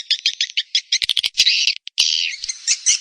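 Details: Swiftlet calling and roosting lure sound from Indonesia, played to attract swiftlets to a roost house: buzzy, high twittering bursts in quick clusters, broken by sharp clicks, with a longer buzzing trill near the end.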